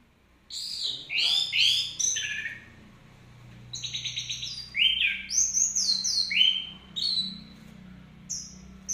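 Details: Orange-headed thrush (Geokichla citrina), song.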